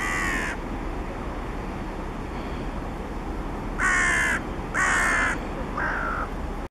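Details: Carrion crow recorded 7 October 2016 in Świnoujście, giving harsh, hoarse caws: one, a pause, then three about a second apart, the last softer, over a low steady rumble.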